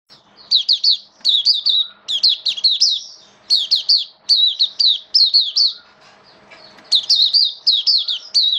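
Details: A kept Oriental white-eye in song form, on a diet adjusted for wet rainy weather, 8 October 2022, sings a fast, high, twittering song of rapid chirped notes in bursts about a second long, over a faint hum.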